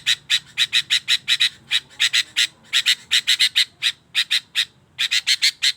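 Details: Sooty-headed bulbul singing vigorously: loud, clipped chirping notes in quick bursts, grouped in runs and broken by short pauses, with no other clear sounds.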